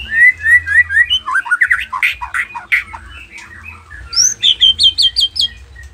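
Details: Nias noktah white-rumped shama delivering a steady, varied song meant to provoke rival shamas. Quick falling whistles lead into buzzy, tumbling notes, then a crisp series of high repeated chips at the close.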